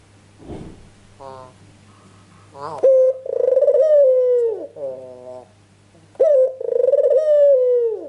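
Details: Ringneck dove calling hard in a lure recording to draw answers from other doves: faint short notes, then two loud drawn-out pulsing coos that fall at their ends, separated by a lower rolling phrase.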